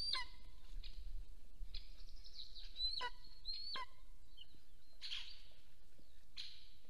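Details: Wild golden eagle pair at their nest in Soomaa National Park, southwestern Estonia, on a nest camera, 1 April 2024 mid-morning, the male returning home as the female takes a break; several high, thin, sharply rising-then-falling yelps, irregularly spaced, over steady low background rumble.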